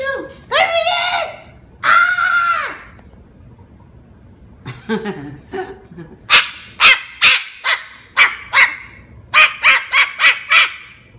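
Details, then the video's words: Cockatoo yelling at its owner for filming it: two long, harsh, rasping screeches, then a rapid string of sharp, clipped squawks, with a person's voice faintly in between. "Cockatoo YELLS at owner for video taping him!"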